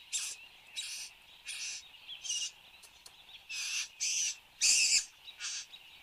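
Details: Displaying satin bowerbird at its bower, Australia, 8:02 am on 10 January 2015: loud, coarse buzzing churrs in quick succession, about ten bursts with the last ones strongest, over a faint steady hiss.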